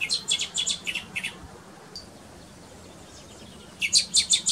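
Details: Fledgling common blackbirds that have just left the nest, being fed by their parents in a garden in Pays Bigouden Sud, Brittany, give thin, high, squeaky notes in quick runs of several per second, in two bursts separated by a quiet pause with faint background hiss.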